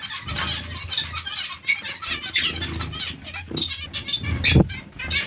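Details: A colony of zebra finches chatters continuously with short nasal, trumpet-like notes, joined by a sharp flutter of wings near the end and a low background hum throughout.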